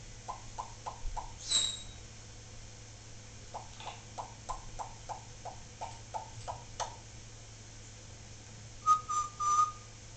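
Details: Solomon Island Eclectus parrot, a caged talking pet indoors, gives a run of short, evenly spaced mid-pitched notes in two bursts. A high squeak comes early, and a clear, level whistled note follows near the end. A low steady hum sits underneath.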